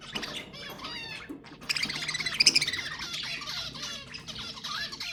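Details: ['Budgerigar warbling used to stimulate mating: harmonic chirps at first, then a dense buzzy, rasping warble with scattered squeaks and twitters.']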